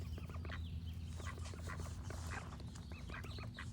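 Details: A rough, overlapping run of short duck quacks, dense and uneven, with high bird song drifting above and a constant low hum beneath.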